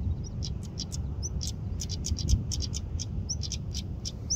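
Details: European stonechat giving a rapid series of hard, clicking tak notes with a few thin high whistles, over a steady low rumble of wind.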